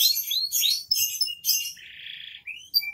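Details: Canary song, 'gacor dor' style, with quick high chirping phrases, then a rough buzzy note lasting about half a second, a rising slur and brief thin whistles.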